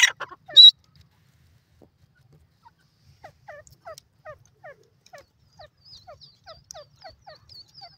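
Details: White francolin giving a quick series of short, hooked, downslurred notes, about three per second, after a loud burst at the start, with thin high chirps from another bird layered above toward the end.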